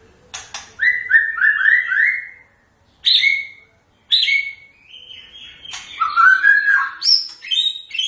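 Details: White-rumped shama singing a varied, fast song: rising whistles run together in a quick series, then sharp clicks, buzzy notes and mixed warbled phrases with brief silent gaps.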